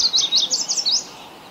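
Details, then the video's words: Yellow warbler, one of Ontario's songbirds in Canada, singing: a rapid burst of about seven bright, high, slurred notes packed into one second. The song ends abruptly into faint background hiss. "Lovely Yellow Warbler Bird Singing. Warbler Bird Song."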